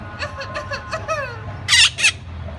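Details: Rose-ringed parakeet imitating a human cough: a run of short nasal, harmonic chirps, then two loud harsh broadband bursts like coughs near the end, over low background hum.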